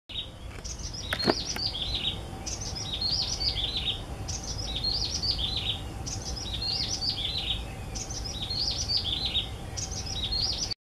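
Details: In Hong Kong, a yellow-bellied prinia repeats a high, tinkling phrase of quick descending notes about every two seconds, over a low background rumble and a faint steady hum.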